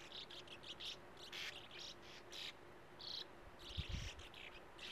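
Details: Sand martins at their breeding burrows in the steep face of an earth mound by a gravel-pit lake; short raspy chirps in quick series, with a brief low thud near the end.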